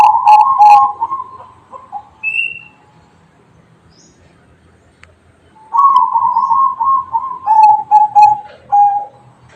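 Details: Zebra dove singing in the bedah karang song style: bursts of low, rolling cooing notes repeated rapidly, a pause of about three seconds, then another stuttering cooing phrase ending in separate notes; faint chirps from other birds.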